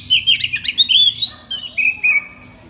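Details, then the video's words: Singing oriental magpie-robin at night, played to draw responses from young birds: a dense flurry of quick chirps and trills slides into long, clear descending whistles. "TERAPI MALAM KACER NGEPLONG AMPUH UNTUK PANCINGAN KACER BAHAN AGAR NYAUT BUNYI GACOR"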